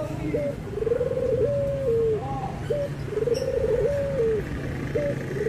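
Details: Cooing of a Barbary dove, from a comparison of white and brown birds: rolling mid-pitched coos that hold steady, then drop at the end, in two long phrases, each led by a short rising note; steady low hum behind.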